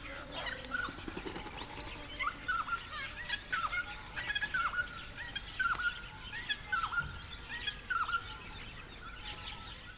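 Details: Noisy friarbirds of subspecies monachus, likely a pair, near a pond or reed-edged dam in the Capertee Valley, NSW, mid September 2019 on a warm sunny day: harsh, nasal, clipped notes repeated about once a second, among other honeyeaters.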